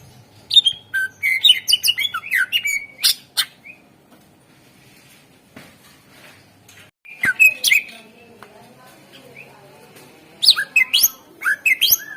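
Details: Greater green leafbird singing to prompt other birds into song: rapid chattering whistles for four seconds, a quiet stretch, then more bursts of sharp, slurred high notes.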